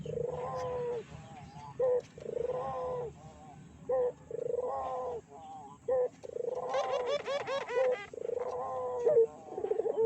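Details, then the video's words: Barbary dove lure cooing to provoke other doves: bursts of purring coos separated by short sharp notes about every two seconds, with a louder rough, bubbling coo later. "PANCINGAN BURUNG PUTER GACOR!!! BURUNG PUTER MANA SAJA PASTI EMOSI"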